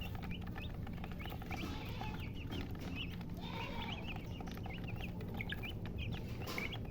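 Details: Chicks with a hen keep up repeated short high peeps, with a soft hen cluck mid-clip and a constant low background hum.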